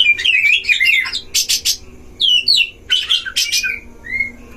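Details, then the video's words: Caged Oriental magpie-robins (kacer) duelling in a breeding cage, used as a lure for other magpie-robins: tumbling warbled phrase, then harsh rasping bursts, twittering notes and a final drawn-out whistle. "DUEL KACER di kandang ternak‼️pancing semua jenis kacer cpt emosi"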